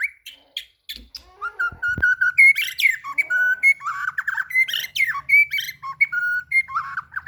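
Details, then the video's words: Murai batu, the white-rumped shama, in song while seeking a rival: a loud, rich, rapidly varied stream of whistles, trills and harsh squeaky notes, sweeping up and down with barely a pause. "murai batu mencari lawan"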